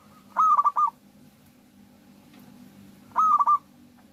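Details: A local zebra dove sings readily on this lure recording for drawing song from other doves: two phrases nearly three seconds apart, each starting with a longer coo followed by quick soft stuttering notes, over faint low background noise.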